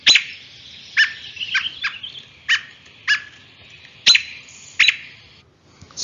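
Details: Agitated American robin giving sharp, piercing 'peek' alarm notes, about eight in six seconds at an uneven pace, with a softer chattering note between; made when a nest or fledgling is disturbed.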